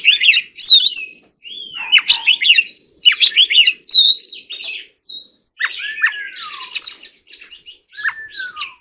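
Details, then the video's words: Training song of an Oriental magpie-robin in forest-voice style: rich varied phrases of clear whistles and rapid twitters, then several long down-slurred whistled notes after a short gap. "choè than hót giọng rừng"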